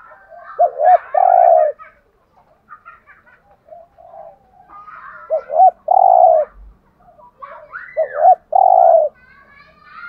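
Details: Spotted dove cooing in the Hạp Bổi style to make caged doves call eagerly. Three full phrases come about three and a half seconds apart, each with two short hoots and a drawn-out, buzzy coo, over quieter cooing from other doves.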